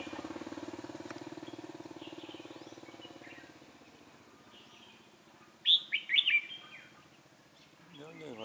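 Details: Trap decoy red-whiskered bulbul singing to bring in rivals, 28 October 2018. A low rumbling noise fills the first half, then a loud burst of lively whistled notes and a final short call.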